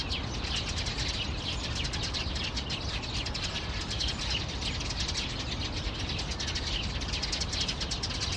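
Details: Eurasian tree sparrows giving alarm calls one February afternoon in 2020, about 4:20 pm; quick clicking chirps crowd together in a continuous chatter above heavy low background noise.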